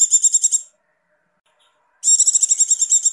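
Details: Breeding-condition female Javan white-eye, ngecir style call: one high, fast-pulsed trill ends, a silence of over a second follows, then another shrill, rapidly stuttering trill begins.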